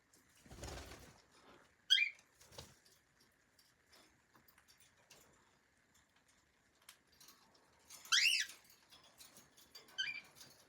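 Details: Domestic cockatiel: a burst of fluttering wingbeats, a short upswept chirp, then quiet taps before a louder arched call near the end and a softer closing chirp.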